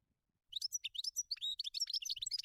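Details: Wild European goldfinch delivers a fast, continuous, jumbled twitter of tinkling chirps, trills and buzzy slurred notes lasting two seconds, with faint low rustling beneath.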